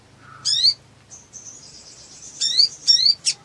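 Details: Black sunbird in full voice: a low brief note, then high sweeping chirps, a thin sustained high whistle, and further downward-slurred high chirps in quick clusters.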